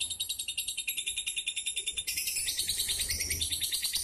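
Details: Fighter lovebird from Pemalang, Central Java, chirping in quick regular high pulses that then swell into a denser, louder, buzzier chatter midway.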